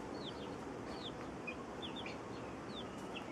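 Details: Hen caring for her feeding chicks; a handful of short, high downward peeps repeat irregularly over a steady, broad background hiss.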